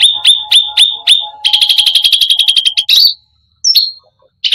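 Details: Cucak rante in full song, loud and clear: sharp high whistled notes spaced evenly, then a rapid ringing trill of the same note, a slurred upward whistle, and short chirps after brief pauses.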